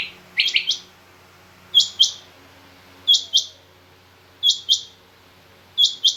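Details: Female rain quail calling: high, sharp paired notes repeated about every one and a third seconds, preceded by a brief run of lower, quicker chirps at the start.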